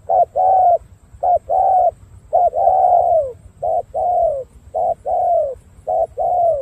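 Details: A captive Spotted Dove with purple-black legs, kept for its cooing, coos in soft, hollow paired notes, a short note then a longer falling one, about once a second over a low background hum.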